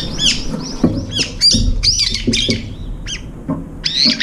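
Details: Brown-eared bulbuls feeding at a window feeder, two or three birds near the food bowl: a dense series of loud, harsh, high squealing calls with down-curving notes, interspersed with soft knocks.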